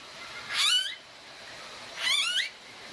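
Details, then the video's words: Blue-faced Honeyeater, an Australian bird, gives two harsh, squealing calls about a second and a half apart, each a quick burst of rising, wavering notes, over faint background hiss. "Blue-Faced Honeyeater Bird Call"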